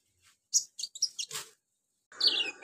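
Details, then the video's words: Sunbird (kolibri ninja) singing a song packed with imitations of cililin, crickets, golden grasshopper and chicks: a burst of very high, thin chirps, a short pause, then a denser run of squeaky notes. "KONIN BANYAK ISIAN CILILIN, JANGKRIK, BELALANG EMAS, ANAK AYAM"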